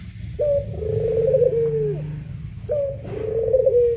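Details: Two puter pelung doves used as a master: two deep, drawn-out coos, each launched by a crisp higher note and ending in a slow downward glide, with low background rumble.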